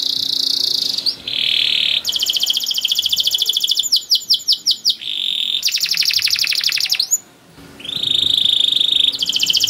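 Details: Canary singing long-duration masteran song to get young canaries singing: alternating steady whistled tones and long rapid rolling trills, with a burst of swooping notes midway.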